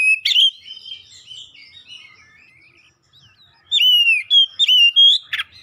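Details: Oriental magpie-robin singing to spur other magpie-robins, home-kept ones included, into full song: a sharp loud note opens soft rambling warbles, a brief near-silent pause follows, then a run of loud rising and falling whistles with crisp clicks.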